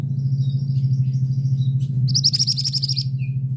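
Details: Thin high chirps, then a male scarlet minivet's rapid series of about eleven piercing notes, with a brief lower note after, all over a constant droning hum.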